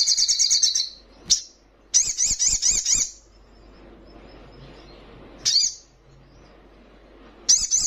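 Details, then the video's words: Rival-provoking young Little Spiderhunter (sogon trotolan) sings a rapid high trill, a sharp chip, a second pulsing trill of about a second, then two more sharp high notes separated by quiet. "Sogon trotolan paling gacor dan bikin emosi lawan!"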